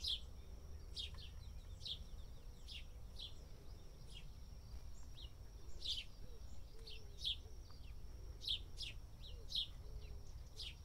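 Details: A house sparrow dust bathing in India gives short sharp chirps, singly and in quick pairs, scattered through the recording over a low rumbling background and a faint steady high whine.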